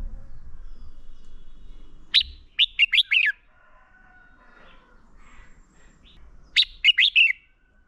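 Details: Red-whiskered bulbul fighting song used for bird training: two separate phrases of five or six sharp, rising-falling chirps, divided by a quiet gap of several seconds.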